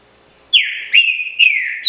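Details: Loud phrase from a caged green-winged saltator singing pixarro style: three or four clear whistles, each starting with a sharp high attack and sliding lower, closely linked.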